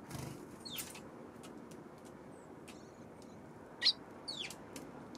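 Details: Eurasian tree sparrows recorded on 24 October: several short, sharp, downward-sweeping chirps scattered across a few seconds, one louder note near the end, over a steady low background hum.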